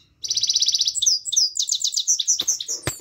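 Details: Himalayan goldfinch (saira) in full song, opening with a rapid buzzy trill, then a quick run of bright, liquid, high twittering notes that tumble on without a break.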